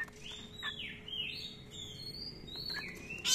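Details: Kacer, the Oriental magpie-robin, as a keen singer in a long-roll tutor recording: soft drawn-out sliding whistles rising and falling over steady background hiss.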